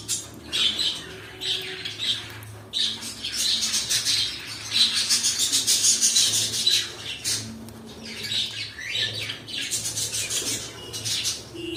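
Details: Pet cockatiels keep up a busy, rapid series of rasping squawks and chirps, densest in the middle, with a few brief lulls.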